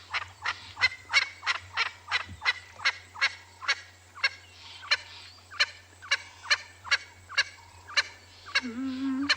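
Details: At Ngala Private Game Reserve, South Africa, on an afternoon game drive on 8 May 2020, a perched Swainson's spurfowl gives a long series of harsh, grating crows, about two per second, over a low engine hum. A brief low voice is heard near the end.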